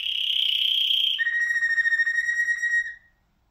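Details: Malinois Waterslager canary, a song canary, holding clear flute-like whistled tones. A high, steady, slightly quivering note drops to a lower pulsing whistle that lasts nearly two seconds and then stops into silence.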